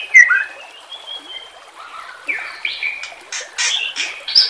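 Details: White-rumped shama song used as training material for caged birds, set against nature sounds: loud, varied phrases of clear whistles that slide up and down, then harsh buzzy bursts and rapid sharp notes in quick succession.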